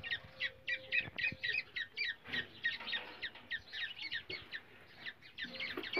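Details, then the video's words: Indian forest recording of black francolin calling, a sound used to lure and trap the birds; rough, chattering double notes follow each other rapidly and almost without pause, with a few sharp clicks in the background. "teetar ki awza teetar pakdia ki tarika teetar voice Kala teetar"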